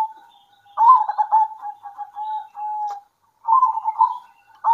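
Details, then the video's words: Zebra doves of a local strain call back and forth at midday. A rapid stuttering coo run trails into a long, even, soft hum. After a short gap a second bubbly phrase starts, then another. "PERKUTUT LOKAL GACOR ADU NYALI"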